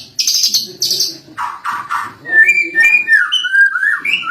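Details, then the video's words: Song of a lovebird with a 'cililin' fill, used as a master track for songbirds: rattling bursts and three harsh buzzy notes give way to a run of clear whistles that rise and fall. "bongkar isian cililin Lovebird"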